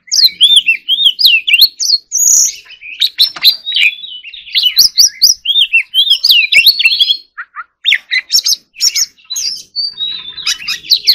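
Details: Singing white-rumped shama delivering a long fast medley of whistles, trills and sharp chirps with brief pauses, the notes sliding up and down continuously.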